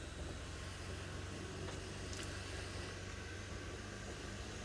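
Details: Steady broadband engine-like rumble and hiss from a vehicle throughout, with no animal calls.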